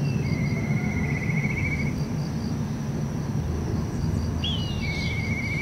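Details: Black kite calling from a rooftop on 9 December 2023: a high whistle slides down into a long, wavering, quavering trill, given twice. A steady high insect-like pulsing and low rumbling background noise run throughout.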